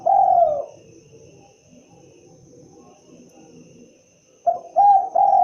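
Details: Spotted dove: a long falling coo ends the first phrase, followed by nearly four seconds of quiet with faint low murmuring, then a new series of short hoarse coos begins.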